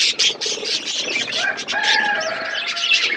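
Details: Several pet budgerigars chatter as they eat, giving busy high chirps and warbling notes, with a few short clearer whistled tones mixed into the constant flow.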